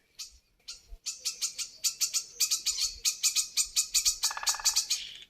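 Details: Woodpecker heard in rainy weather while cows graze near a village in Mengen, Bolu, Turkey: a string of sharp, high, clipped notes, roughly one or two a second at an uneven pace, with a brief lower buzzy sound near the end.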